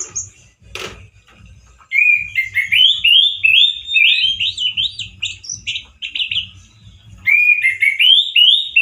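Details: Male orange-headed thrush singing loudly in 'gacor teler' fashion: a sharp click, then long sequences of quick rising and falling whistled notes in two bouts, over a low background hum.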